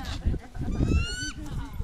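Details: A steppe eagle at a falconry demonstration in Libeň, 3 May 2014, gives one drawn-out, slightly rising nasal note that breaks off in a quick downward flick, over a heavy low rumble and crowd noise.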